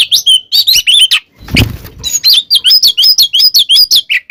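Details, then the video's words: Oriental magpie-robin, caged, in fighting song used to provoke others: rapid whistled loops and chatter, interrupted by a short low thud or knock, then a steady series of repeated whistled notes about five per second. "SUARA BURUNG kacer gacor TARUNG KONSLET full isian ini AMPUH buat PANCINGAN KACER agar EMOSI"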